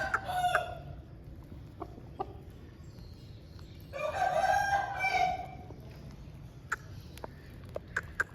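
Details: Aseel rooster crowing after rain: a single drawn-out, harmonic crow of about one and a half seconds, held fairly level, preceded by a brief shorter call and followed by scattered sharp clicks and ticks.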